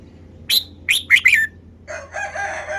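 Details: Caged red-whiskered bulbul singing a quick phrase of four bright, slurred notes, followed by a softer, harsher rasping sound.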